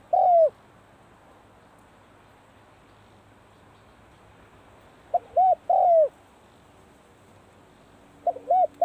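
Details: Spotted dove practising its call at the start of the cold season: three loud cooing phrases, each a short wavering coo followed by a longer falling one, separated by pauses of several seconds in a quiet rural setting.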